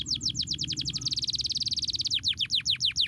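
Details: Canary song meant to stimulate lazy canaries to sing: rapid series of high descending chirps, speeding into a fast even trill midway, then slowing back to separate swooping notes, over a low background hum.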